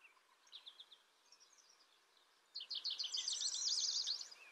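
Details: Indigo bunting amid background hiss: faint scattered high notes first, then a sudden loud, dense burst of rapid slurred notes lasting about two seconds.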